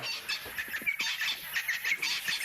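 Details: Arrow-marked babblers give harsh, raspy churring notes in quick, uneven bursts, with thin high whistles, over a soft hiss. Recorded in the African bush on a sunset safari drive on 8 November 2016, between 16:00 and 19:00 local time.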